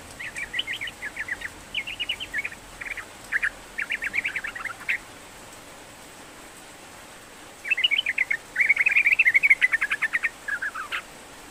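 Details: Persistently singing sooty-headed bulbul, offered as therapy for a bird unwilling to sing: rapid bubbly chatter in phrases of a few seconds, a long pause, then a denser, louder burst of quick notes.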